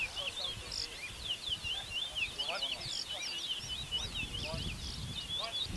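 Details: Seed-finches (bullfinches) at a bird whistling competition in Arima, Trinidad, 2019, sing quick, sweet twittering whistles in rapid warbled runs, almost without pause, over a low murmur of crowd voices.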